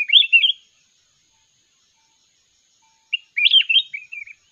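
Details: Singing contest of a wild red-whiskered bulbul: two bursts of sweet, tumbling whistled warbles, each lasting under a second, separated by silence.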